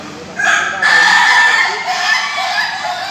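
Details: Ayam Ketawa, the Indonesian laughing chicken breed, crowing in a pen at a joint practice session in Bogor: a loud, ringing rooster crow starts after a short pause and holds steady, with other roosters faint behind.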